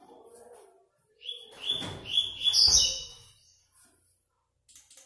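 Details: 5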